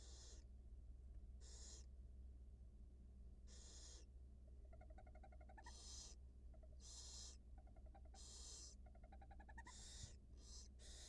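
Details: Wild barn owl at a nest cam, a mother feeding her two newly hatched nestlings: harsh broadband hissing bursts about every second, mixed with short rising, chittering, tonal notes in quick strings, over a steady low hum.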